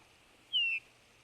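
A Eurasian bullfinch gives a single soft, piping whistle that slides gently downward, lasting under half a second, against a quiet background.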